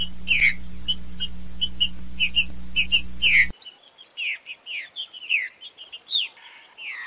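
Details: Green-winged saltator in captivity, sung to encourage a caged bird to sing. Bright repeated chirps over a low hum, then clear, quick descending whistled slurs in varied phrases.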